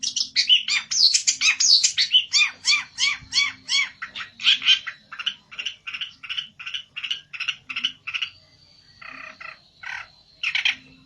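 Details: Agitated olive-backed tailorbird challenging a rival, pouring out a fast series of loud, ringing, harmonic notes, about one and a half per second, that gradually soften before a few sharper calls return over a thin high whine.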